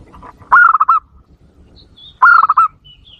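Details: Zebra dove calling as a lure to provoke wild doves: a soft coo phrase, then two loud stuttering phrases of clipped coos almost two seconds apart, with faint high whistles from another bird between.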